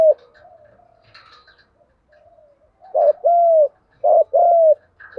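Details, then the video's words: Lure cooing of a spotted dove for training wild-caught and decoy birds. Faint low murmuring comes first, then two loud phrases, each a short hoot joined to a longer level coo. "cu gáy giọng đồng gù vấy thúc cực căng"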